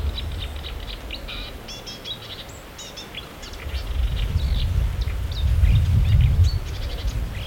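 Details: Marsh warbler, known to imitate other birds, singing a fast, varied chatter of short high chirps, trills and clicks, roughly three notes a second, over strong low rumbling wind or traffic noise that swells toward the end.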